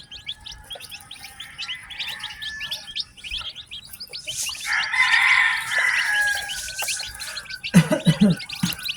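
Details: Batch of ten newly hatched chicken chicks on a farm peeping rapidly in high short notes, with a louder broad rushing noise in the middle and a low thump near the end.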